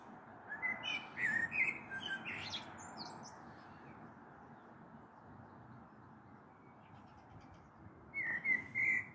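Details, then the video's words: Blackbird (common blackbird) song at dusk on 21 April 2022 before a possible storm, recorded from a balcony: a fluted phrase with high squeaky flourishes, a long lull of background hum, then a fresh warbled phrase starting. "Sehr schöne Amsel mit Gesang am Abend"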